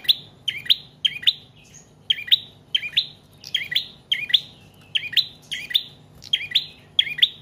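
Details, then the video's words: Bar-winged prinia in persistent song, a tutor recording for cage birds: steady, rapid strings of squeaky two-part chirps, roughly two per second, with hardly a pause. "Prenjak Trotol/Paot Gacor Panjang Cocok Buat Pancingan/Masteran Burung Anda"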